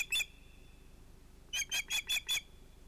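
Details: Osprey at a nest with two ringed chicks during an evening fish delivery at sunset on 11 August 2018: one sharp, high whistled note, a pause, then five quick piercing notes in a row.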